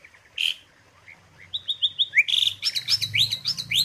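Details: Asian pied starling song for tutoring songbirds: a short harsh note, then a string of whistled downslurred notes roughly three a second building into quicker sharp phrases, over a low background hum.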